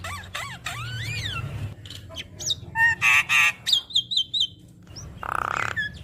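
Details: Javan myna song with many varied phrases, played so other mynas answer: arched rising-falling whistles, harsh noisy bursts, a level high whistle, and a final rasping squawk, with faint low hum throughout.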